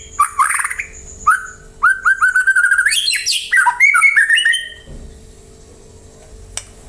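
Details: White-rumped shama song for drawing replies from other birds: rich squawky bursts, a rapid series of repeated rising whistles, then harsh trills, fading into quiet background.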